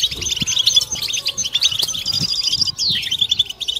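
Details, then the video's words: European goldfinches chattering as a group to stimulate mating song; fast jingling high notes and trills, then a sharp downward-sweeping slur near the end, over soft low knocks. "بتبتة حسون جماعية ضرورية لعلاج سكوت+تحفيز إنات لحسون قوى بتبتة جماعية لتحفيز حسون على تغريدة تزاوج"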